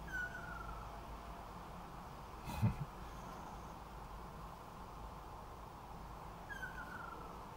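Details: Male Ryukyu ruddy kingfisher holding a large earthworm in its bill, calling to the female. Two descending trilled whistles, one at the start and one near the end, separated by a long quiet gap, with a low thump midway.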